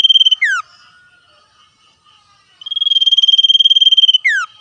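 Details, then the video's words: Wild common iora in back-and-forth song with wild birds: a trill ends in a falling whistle, soft low notes follow, then another long high pulsed 'ngetir' trill finishes with the same sharp downslur. "sirtu cipoh gacor ngetir suara asli alam liar"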